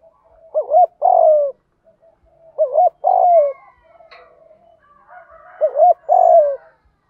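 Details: Decoy spotted dove cooing in the 'gù thúc' urging style used to lure doves: three phrases, each a quick wavering double coo followed by a longer, fuller coo that slides downward, with faint softer notes between.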